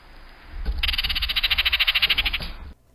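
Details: A Baltimore Oriole gives its chatter call, used by males and females in aggressive encounters and to alert other orioles: a dry, harsh rattling burst of about two seconds, its notes running quickly in even succession.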